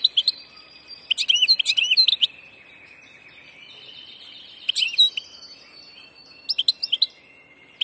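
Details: A wild-caught passage ('del paso') European goldfinch, called 'the Master', sings bright, tinkling twitters and liquid trills in four quick bursts, with brief pauses between phrases and no other sounds.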